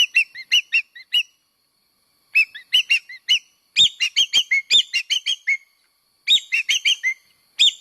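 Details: Common green magpie lure sound: rapid bursts of harsh, ringing, chattering notes, several per second, in phrases broken by short silences, with a few soft thumps.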